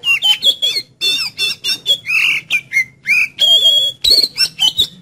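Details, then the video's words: Kept Oriental magpie-robin in an energetic song meant to prompt another caged bird to sing: rapid varied phrases of clear high whistles, sweeping slurs and harsh squawky notes, each burst broken by short pauses. "Siulan Kacer Penuh Energi Untuk Pancing Kacer Anda Jadi Cepat Buka Paruh"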